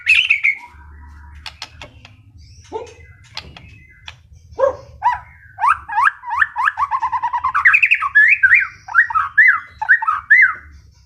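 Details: White-rumped shama, a wild-caught long-tailed bird, giving scattered sharp clicks and chips before breaking into a rich run of looping, warbled whistled phrases that rise and fall.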